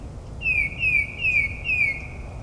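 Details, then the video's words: Mockingbird singing at midnight in suburban New Jersey, copying other birds: four quick downslurred whistled notes in even series, about one every 0.4 seconds. "Moonlit Melodies - Mockingbird's Nocturnal Performance in NJ"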